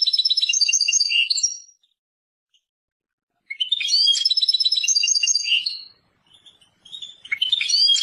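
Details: Persian goldfinch (European goldfinch) delivering two bursts of rapid liquid twittering mixed with short buzzy trills, separated by a silent gap of nearly two seconds, then a softer restart.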